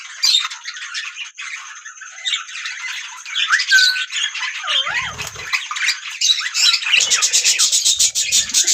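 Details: Several budgies chattering together: a constant overlapping mix of chirps, squeaky warbles and short whistles, with a few sliding notes and a burst of harsher rapid clicks near the end.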